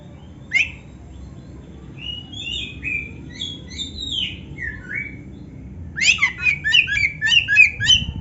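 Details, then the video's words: Oriental magpie-robin in full active song, mixing canary-style fill-in phrases, used as a tutor recording: quiet slurred whistles stepping downward, then a loud run of quick repeated chirping notes over faint background hiss. "suara Kacer gacor isian komplit | Masteran Kacer ISIAN Burung Kenari"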